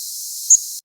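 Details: A Yellow Warbler gives one very short, very high, buzzy nocturnal migration flight call, a modulated chip note rapidly rising and falling in pitch, over a steady background hiss.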